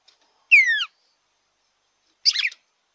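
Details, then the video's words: Red-cowled cardinal phrase for stimulating a captive bird: a clean downslurred whistle with overtones, then after a pause a short jumbled bright burst. "ESQUENTE SEU GALO DE CAMPINA."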